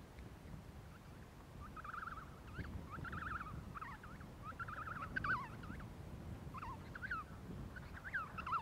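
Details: Emperor penguin chick begging for food from a parent in Adelie Land, Antarctica, in January: bursts of quavering, whistled trills that rise and fall, repeated in runs, over steady low wind-like rumble.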